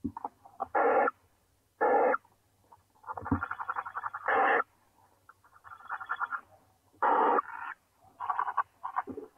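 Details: Young owls in the nest, eight hatched from the first clutch, greeting the returning mother with repeated harsh hissing bursts. Loud rasps and quieter chattering rasps alternate irregularly.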